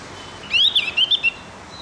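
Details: Javan grey-throated white-eye song, played in the morning as training audio to get captive birds singing: a quick run of clear whistled notes, rising and falling, in one phrase just over a second long, over a low hum.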